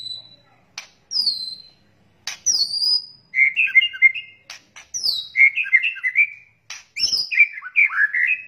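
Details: White-rumped shama crackling lure calls, young birds with adult male and female: sharp clicks and high falling whistles alternate with three bouts of rapid twittering warbles, separated by short silences.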